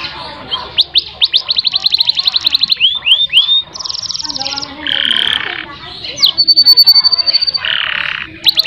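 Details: Canary song used as a master recording to coax a stuck canary into singing long rolls: fast trills of repeated upswept notes, bright whistled phrases, and buzzy rolled passages, all loud and high-pitched.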